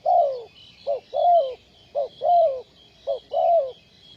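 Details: Spotted dove used as a ground lure in trapping, 20 April 2020, calling steadily: three phrases of a brief coo then a longer descending croo, roughly one per second, over a faint buzzing high drone.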